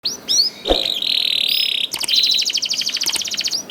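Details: Young canary song used to prompt other canaries to sing: a long steady buzzy trill, then a fast rattling trill of rapid high notes with brief whistled upslurs at the start.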